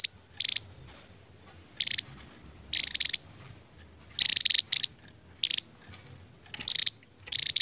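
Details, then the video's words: Javan tesia, an endemic bird, singing in its long ngebren style. Brief, explosive, very high bursts of rapid notes come roughly once a second, separated by short silences over a quiet, low background. "BURUNG NGEBREN PANJANG .....GAK SESUAI POSTUR ..TAPI INILAH TESIA JAWA"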